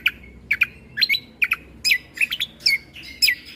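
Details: Greater green leafbird (cucak kombo) tutor song, full of 'tembakan' shot notes, played to young white-rumped shamas. Paired sharp whistled chips repeat rapidly, some sliding downward, with a faint high tone between them.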